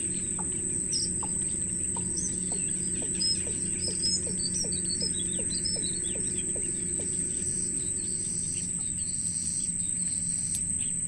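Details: Wild nestlings begging a parent for food give bursts of sharp, high squeaky chirps in the first half, over a run of regular falling notes about once a second and a constant insect drone.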